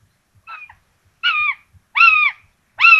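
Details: At a common buzzard nest in Tiszalök, Hungary, 26 June 2022, two chicks receive rabbit; loud, clear, downward-bending mewing calls repeat every 0.7 seconds, with faint low thumps beneath.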